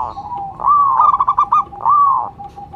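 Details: Local zebra dove calling as a lure bird: a long rising coo, a flurry of rapid bubbling notes, then another smooth arched coo, close and clear.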